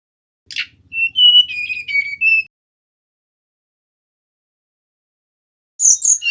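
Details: Male mangrove whistler song offered as a lure: a harsh burst, then a clear whistled phrase of sliding notes near one steady pitch over about one and a half seconds, silence, then a brief bright high flourish at the end.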